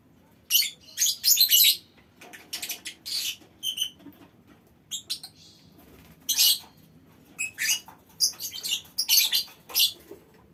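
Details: Lovebirds in a mini aviary calling as a colony; scattered shrill squeaks and short chattering bursts, separated by quiet gaps, somewhat softer and more spread out.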